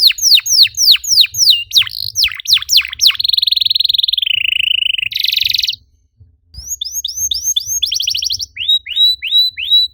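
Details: Singing canary meant to provoke other canaries to sing; quick falling whistles give way to a long buzzy rattling trill that drops in pitch, a brief silence, then more chirped sweeps.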